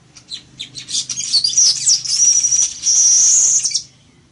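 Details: Village weaver song: a burst of dry chips building into a long, high, sizzling buzzy trill with whistled slurs, lasting about three seconds.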